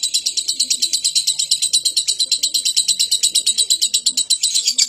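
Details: Lovebird used as a daily bird to provoke other birds into singing, giving a long, fast, high chattering trill of evenly pulsed notes, about five or six a second, with soft low dove-like coos in the background.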